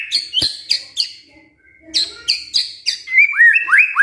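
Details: White-rumped shama singing, played as a lure to make a quiet bird sing: bursts of harsh, high chattering notes, a brief pause, more chips, then quick rising whistled slurs at the end.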